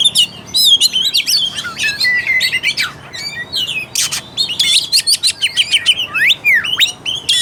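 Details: Kacer, the Oriental magpie-robin, in energetic lure song meant to rouse a reluctant singer: a fast tumble of sharp chirps, upslurred and downslurred whistles and scratchy notes, with barely a pause.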